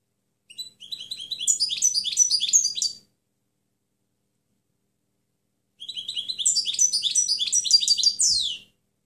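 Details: European goldfinch song played as a clean tutor recording for other birds: two separate phrases of rapid, high, tinkling twitters several seconds apart, each building from thin rising notes into dense chattering, with a faint click at the end.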